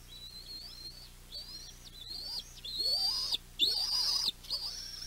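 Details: Juvenile bald eagles at the West End nest, 7.6.23, calling when they see their mother carrying in a fish. A quick run of high, strained squeals grows steadily louder, with notes climbing and cutting off abruptly.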